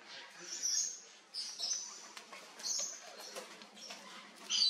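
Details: Scarlet-breasted lorikeets grooming each other give soft, high, scratchy chatters and squeaks in short irregular bursts, ending on a sharper, louder screech.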